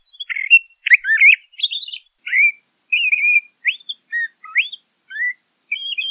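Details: Varied whistled phrases from a LeConte's thrasher, buzzy notes mixed with clear upslurred and downslurred whistles, delivered one after another with brief pauses, no other sounds.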